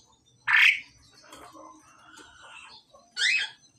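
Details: Male and female pied myna during pairing give two loud harsh squawks with soft chattering and whistled notes between them.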